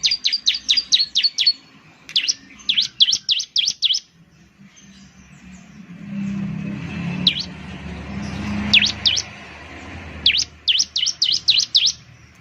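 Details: Bar-winged Prinia (ciblek) lure song: rapid runs of thin, high down-slurred chips, broken by a stretch of low rumbling noise with only scattered notes before the chipping resumes.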